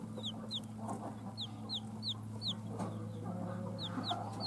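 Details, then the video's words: Just-born chicks hatched from a hen's eggs give a steady series of clear, high, falling peeps, roughly three a second, above a constant low electrical hum. "JUST BORN "Chicks Chirping" Sounds"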